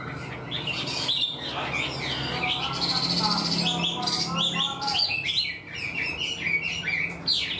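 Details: Newly caught Chinese hwamei, eager to sing, delivering a full structured song like a tame bird: varied whistled phrases with rapid slurred notes, irregularly spaced, plus faint human voices and background noise.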